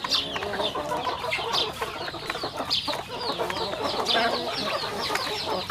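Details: Chickens on a rural home farm eating: a dense, continuous chorus of high, sharply falling peeps from many birds, overlapping with soft pecking and rustling noises throughout.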